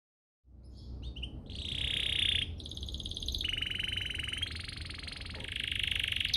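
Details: Domestic canary song played as a lure to set other canaries singing: after a brief silence come rising notes, a loud buzzy trill, then long fast rolling trills held at a steady high pitch over a faint low hum.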